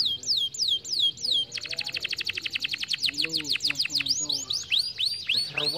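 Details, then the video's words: Canary song meant to stimulate lazy canaries to sing: loud down-slurred whistles, a long rapid rolling trill of clipped notes, then repeated swooping high phrases, with soft low background noise. "muito bom para estimular o som de canários preguiçosos"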